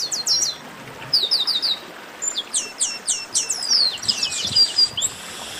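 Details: Chestnut-capped blackbirds in a lively chorus of sharp, high downslurred chirps repeated in rapid series, dense overlapping notes suggesting several birds singing together, with steady background hiss.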